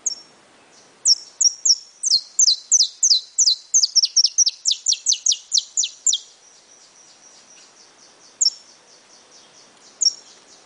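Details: Saffron finch in brown plumage delivering a long, accelerating series of bright, high downward-slurred chips, nearly twenty in a row, then a thin trill and a few isolated notes.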